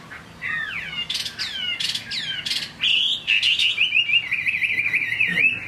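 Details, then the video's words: Chinese hwamei, a kept bird offered for sale, singing in the rain: loud, rich whistled notes sliding downward in quick succession, then a fast, sustained rippling warble at a steady high pitch, over a low steady background hiss. "Họa mi hót trong mưa"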